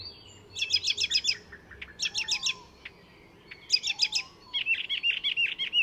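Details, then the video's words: Singing Icterine warbler, a mimic of other species, recorded at Fysingen reserve near Stockholm, Sweden; fast trilled runs of high notes in three bursts, followed by a run of scratchy repeated chirps. "Icterine Warbler in full song; A master of mimicry"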